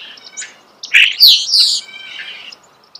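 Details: Close natural recording of a starling's song: a soft whistle, then a loud burst of squeaky, rasping notes and a thin trailing whistle.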